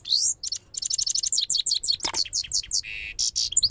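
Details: Rapid bright twitter of a Parachinar goldfinch, known there as Saira Qanari: fast repeated chirps, descending slurred notes, a short buzzy rasp and sharp trills run together without pause.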